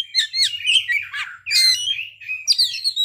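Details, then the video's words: Kacer, the Oriental magpie-robin, in an energetic burst of its fill-in song: dense chattering twitters, slurred whistles and scratchy notes tumbling together in rapid, uneven phrases, with a faint low hum. "kacer ngeplay bongkar isian"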